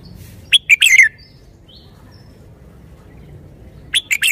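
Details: A red-whiskered bulbul delivers a bright, clipped whistled phrase ending in a falling slur, then after a pause of about three seconds starts another, with soft background hum.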